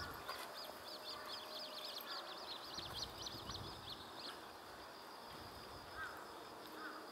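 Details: Wild little grebes at a pond by a trailhead, parents feeding three young; the largest chick grabs food first while the smallest hides on a parent's back. A quick run of high, squeaky peeps, then quieter calls over steady background noise.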